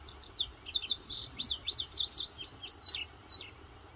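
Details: West Virginia indigo bunting singing in the morning, June 8, 2023, during quail chores: a rapid series of high, sharp, slurred chirps, some doubled, running for over three seconds above a soft low hum.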